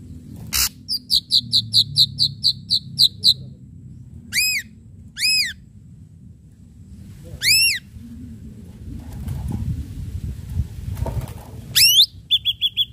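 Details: Active ashy drongo song with sharp strikes: opens with a rapid run of about a dozen quick chipping notes, then repeated arched ringing whistles and a closing twangy rising note, over a soft low hum.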